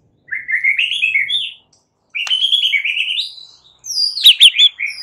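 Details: White-rumped shama singing a fighting song to make other shamas respond: two sustained, slightly wavering whistled phrases separated by a pause, then a quick, high flourish of sharp notes.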